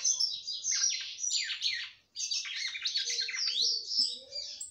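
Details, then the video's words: Female red-cowled cardinal in a breeder's care singing to rouse the male: two long, dense runs of quick warbling, whistled and trilled notes split by a short silence. "FÊMEA DE GALO DE CAMPINA CANTANDO MUITO PRA FOGUEAR SEU CAMPINA."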